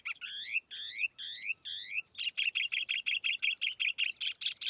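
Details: Tiểu mi laughingthrush singing as a lure: four clear, rising double whistles, each about half a second long, then a fast, regular burst of buzzy chirps about four per second. Faint background hiss.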